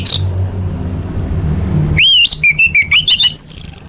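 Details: Orange-headed thrush song meant for training competition birds, full fill-in style: after a quiet start, a loud rising whistle leads into a rapid series of repeated ringing notes and a long high whistle.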